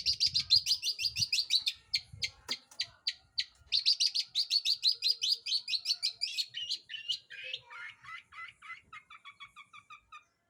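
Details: Long-tailed shrike lure song to stir other birds into singing: long rapid trains of high, sharp, chattering notes, about five per second, breaking into a softer stuttering series near the end.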